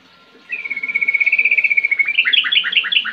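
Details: Yellow-vented bulbul singing, used to make other kept birds sing: a fast, even trill of high chattering notes that slides slightly downward, then breaks into louder, bubbly, rising-falling phrases.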